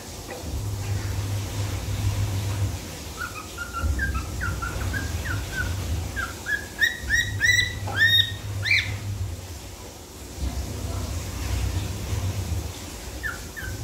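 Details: Cockatiel whistling the Pink Panther tune: a string of short whistled notes gives way to sharper, harmonic-rich chirps and a rising squawky note, then a pause and two last whistles, all over a constant low droning hum.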